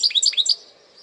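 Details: Brief burst of a goldfinch hybrid's parçalı song: five or six sharp, high twittering notes in quick succession, then quiet.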